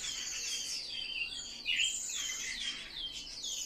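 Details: Varied warble from a Eurasian blackcap, rising and falling whistled notes linked by soft chatter, with one louder clear phrase partway through.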